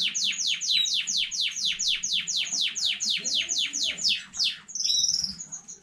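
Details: A canary newly bred at home (15.05.2019) repeats sharp descending sweeping notes about four times a second, then breaks into a brief high buzzy trill.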